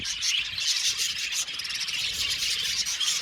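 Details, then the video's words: Budgerigars in a colony make a dense, raspy twittering with grating, buzzy chirps overlapping throughout. "Beautiful budgies chirping sound | Budgies sound for lonely budgies"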